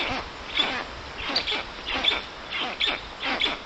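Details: At a Polish forest nest of the black stork in Puszcza Notecka, 13 June 2019 in the afternoon, as an unfamiliar adult visits the young: wheezy, hissing bursts come in a loose series roughly every 0.7 seconds.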